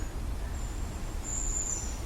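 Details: Flock of long-tailed tits passing overhead in ancient Sussex woodland, High Weald, mid-September 2025, likely a mixed autumn-winter tit flock: thin, very high drawn-out 'see-see' notes over wind rustling leaves.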